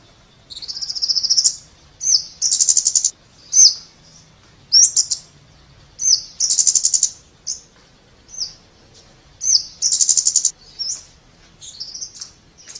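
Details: Scarlet-backed flowerpecker singing: very high, thin buzzy notes around 4 to 8k, alternating smooth tsee-like strokes with rapid trilled rattles, in bursts about one second long separated by short pauses.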